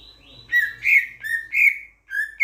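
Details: From Sulawesi, Indonesia, a Sulawesi myna, a starling relative noted for its loud voice, gives rich fluty notes, each swelling and falling, five spaced phrases with brief pauses, the last cut short.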